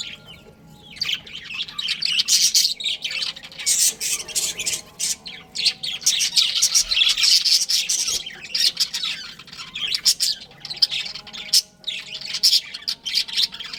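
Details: Budgerigar breeding pair chattering almost nonstop, a long busy warble of high squeaks, chirps and scratchy notes with only brief lulls.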